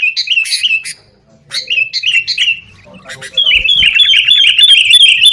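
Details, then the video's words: Sooty-headed bulbul in a lively fighting mood, recorded as a lure to get caged bulbuls singing: two short bursts of bubbly, warbled notes, a brief pause, then a dense, rapid run of chattering phrases. "kutilang gacor TARUNG buat pancingan kutilang agar bunyi"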